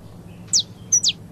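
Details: Saffron finch singing in the paulista song style: two sharp, high notes slide steeply downward about half a second apart. A brief thin whistle comes just before the second note, over a faint low background hum.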